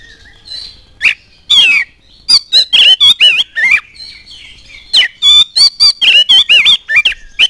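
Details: Lively oriental magpie-robin singing to set others off: a slurred, falling whistle, then dense runs of sharp whistled and rasping notes that speed up into a rapid stream toward the end.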